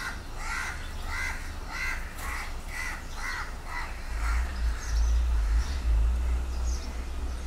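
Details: House crows caw as a few crows attack a mating pair to prevent mating: harsh, nasal caws about every 0.7 seconds, loud at first and fading after four seconds, over a steady low rumble of wind.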